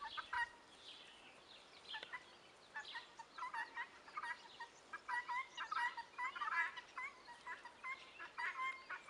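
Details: Young helmeted guineafowl calling in a group: harsh, chattering notes repeated in rapid uneven bursts, overlapping from several birds and growing busier toward the end.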